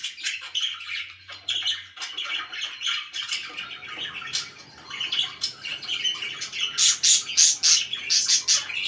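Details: Budgerigars kept as pets chatter in scratchy warbles over a faint low hum, then break into loud, sharp high squawks repeated quickly toward the end.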